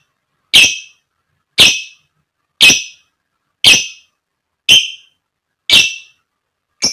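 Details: Lovebird, used as a lure to provoke fighter lovebirds to sing: sharp, piercing chirps repeated about once a second in a very steady rhythm, each a brief harsh burst with no other sounds.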